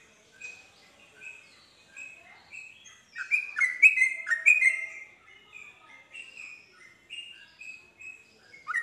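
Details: Yellow-vented bulbul singing to lure other bulbuls into answering and joining a rapid song: bright, short chirped notes at irregular intervals, building midway into a loud, tumbling burst of overlapping phrases before returning to single chirps in a quiet setting.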